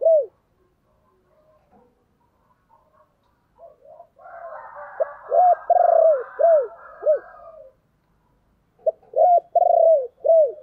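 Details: Spotted dove in the low 'chìm' cooing style, a lure call meant to call in wild doves: a soft murmur, then a run of throaty coos under a hoarse rasping layer, a pause, and another series of short and long downslurred coos.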